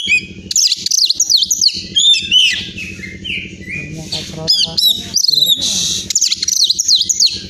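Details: Champion caged Oriental magpie-robin (kacer) from Pemalang, Central Java, Indonesia, singing a rich, fast medley of high whistles, sweeping slurs and buzzy chattering notes with sudden bursts, over a steady low murmur of voices.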